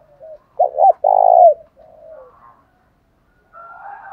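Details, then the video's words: Spotted dove voices, male and female, used as a fighting lure: two brief coos lead into a long, buzzy coo, then quieter trailing notes and distant bird calls. "chim cu gáy mồi giọng thổ đồng thúc đấu rút bổi nghe rất nhanh về"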